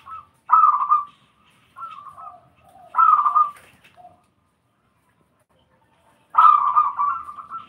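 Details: Zebra dove cooing in three bursts: a short rolling coo near half a second, a second trilled phrase around three seconds, then a longer bubbling, slightly wavering coo from six seconds on, with soft quieter notes between and a hushed background.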